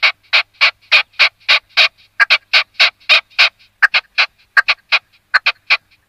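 Red-legged partridge giving harsh, chuffing notes in quick rhythmic bursts, about three or four per second, with short pauses between phrases.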